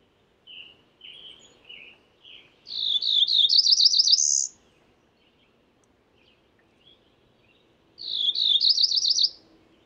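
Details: Several soft, short chips precede two bright song phrases of a Cerulean warbler, each a quick ascending series of buzzy notes ending in a high trill, separated by a few seconds of quiet.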